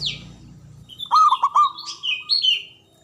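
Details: Local Javanese zebra dove with a big voice, used to coax silent doves to sing. A quick rolling burst of low coos trailing into a steady tone, overlaid by high sliding chirps of other birds.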